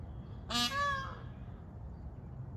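One loud, nasal, harmonically rich Indian peafowl call, falling then lifting slightly and lasting under a second, over a steady low background rumble.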